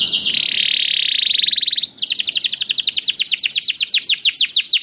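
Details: Singing canary played to spur other canaries into song: a sustained buzzy roll at mid-high pitch gives way to a long series of rapid, sharply falling whistled notes.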